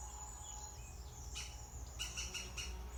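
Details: European green woodpecker at the nest on fledge day, 16-6-20; a short sharp burst, then four quick rasping, buzzy notes in a row, with a thin constant high whine and low background hum.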